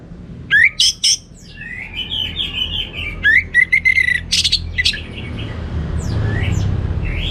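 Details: Orange-headed thrush singing in lively teler style: sharp upslurred chirps and short bursts of rapid notes, interspersed with softer buzzy whistles, fading into low background rumble toward the end.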